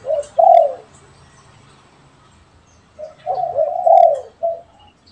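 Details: A caged spotted dove and a wild spotted dove answer each other. A brief pair of coos is followed by a pause, then a longer, wavering cooing phrase and a short closing note.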